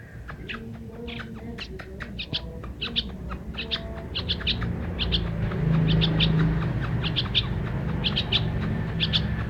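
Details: Bird singing: short, high, sharp chirps given singly and in quick pairs, roughly every half second, over a steady low rumble of traffic-like noise and a faint hum.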